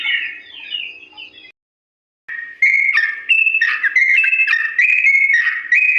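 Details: Long slow ropel song of a sooty-headed bulbul, played so young birds copy it: a soft warbled phrase, a brief silence, then loud clear whistled notes stepping up and down in even pitch jumps.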